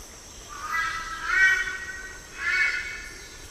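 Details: Red-billed Brush-turkey calling loudly and raucously, the harsh nasal notes rising in a broad swell and then repeating after a pause, over a steady low background hiss.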